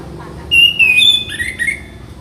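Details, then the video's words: Orange-headed thrush tutor song: a brief run of clear, level and slightly falling whistled notes, then a stepped descending phrase, with faint low background rumble. "Melatih Mental Masteran Anis Merah"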